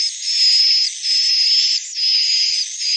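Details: Swiftlet sound linked to a swiftlet nesting building: long, thin, buzzy high tones, each held about three quarters of a second, repeated roughly once a second with short gaps.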